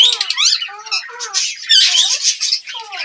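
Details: Indian ringneck parakeets, a group of talking parrots, giving rapid, harsh, squawky chatter mixed with short whistled slurs, several birds overlapping with no break.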